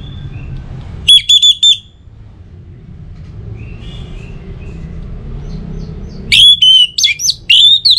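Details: Orange-headed thrush singing to draw out other birds: a short burst of high whistled notes, a long lull with low rumble and faint distant chirps, then a longer, varied run of loud slurred whistles.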